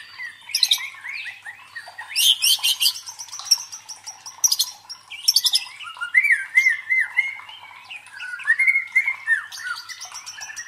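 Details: White-rumped shama song for training contest birds' fighting spirit: loud rattling buzzy trills alternating with sweet slurred whistles, in bursts over about ten seconds.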